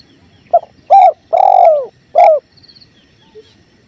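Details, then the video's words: Spotted dove (tekukur) cooing in a masteran with clear river sounds: a quick note, then a coo, a long descending coo and a short final coo, followed by quiet water and a faint distant chirp. "Masteran Tekukur River Flow"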